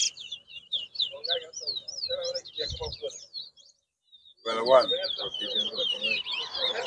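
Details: Towa towa at a Bath Settlement, Guyana whistling competition in 2022, singing quick repeated upslurred whistles, pausing briefly, then resuming over men's speech.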